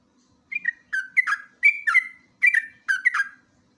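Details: Master and lure recording of a sooty-headed bulbul, locally jogjog or trucuk, singing ngeropel: paired and tripled slurred whistles in short, evenly spaced groups over about three seconds.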